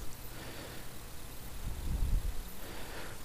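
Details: Low wind rumble and microphone buffeting swell around the second mark, with no animal call heard.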